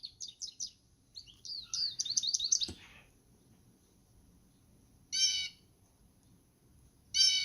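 Blue Jay: a quick run of high, squeaky chirps, then two loud, harsh, nasal 'jeer' screams about two seconds apart.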